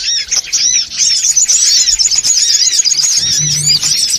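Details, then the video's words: Songon otong birds in a noisy, crowded lure recording meant to draw birds in: dense overlapping high chirps and twittering run without pause, with a faint low hum near the end. "SUARA PIKAT SONGON OTONG (RIBUT)"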